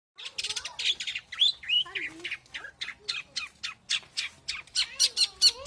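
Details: Long-tailed shrike from Indonesia in a rapid run of harsh, scratchy notes, about four per second, mixed with squeaky slurred whistles.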